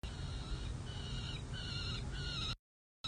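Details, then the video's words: Three peregrine falcon chicks at the San Jose City Hall nest ledge in California, playing hard at bedtime on 11 June 2024, the night before fledge watch, with a parent watching from the roof; drawn-out harmonic wails repeated in bursts over steady low hum. "San Jose CH Falcons: Chicks play hard on night before fledge watch"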